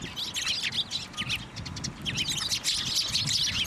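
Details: Sparrow flock gathering on a person's hand to be fed at a Tenmangu shrine, March 18, 2024; rapid, busy sharp chirps packed together in a constant twittering chatter.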